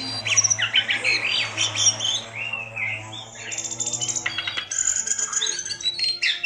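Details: Lively Javan pied starling song played as bait to prompt a bird that rarely sings; a fast jumble of chirps, whistles and rattling buzzy notes, with a constant low hum underneath.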